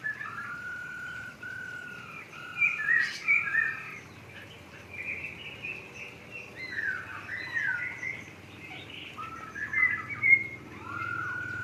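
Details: Caged masked laughingthrush in an aviary giving bursts of clear whistled phrases with downslurred and looping notes. Pauses separate the bursts, and a steady background hiss runs throughout.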